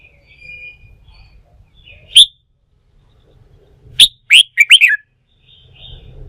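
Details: A newly caught wild red-whiskered bulbul being worked up to sing for song-fighting practice. After a soft whistle and a single sharp note comes a rapid, loud run of bouncy chirped syllables, with a faint low rumble in the background.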